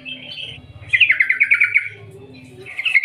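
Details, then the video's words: Lure call of a yellow-vented bulbul in long ngerol ngetir gacor style, meant to make other bulbuls sing; a soft opening phrase, then a loud rapid rolling trill and a brief bubbly burst at the end. "Panggilan trucukan gacor Ngerol Ngetir panjang - Ampuh untuk pancingan trucukan agar bunyi gacor"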